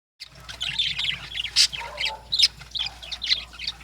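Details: Lovebirds in the morning, giving a busy chorus of sharp high chirps and squeaky chattering notes, several loud shrill calls standing out over the flock.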